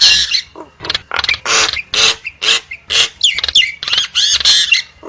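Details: Nias hill myna (Gracula robusta) song: loud, harsh squawks mixed with ringing whistles in quick bursts about twice a second, some notes sliding up or down.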